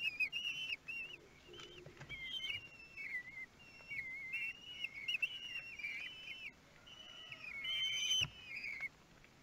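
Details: Thirteen-day-old kestrel nestlings begging during a feed, Théding, France, 5 June 2022: a busy chorus of wavering, piping whistles and squeals, rising and falling, with occasional clicks and thumps from the nest.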